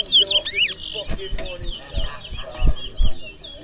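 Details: Towa towa, or seed finch, competing in a singing contest in Berbice, gives a short burst of sharp whistled notes, rising and falling, in under a second, followed by people talking and counting with dull knocks.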